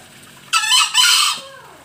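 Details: Green junglefowl from Bali, recorded as a lure call, giving a harsh two-part broadband crow: a rough burst followed at once by a second, longer raspy phrase, then quiet.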